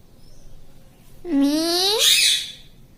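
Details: Talking green parrot (mitthu) at home: a single drawn-out, nasal, speech-like call, rising gently, then breaking into a harsher, higher squawk.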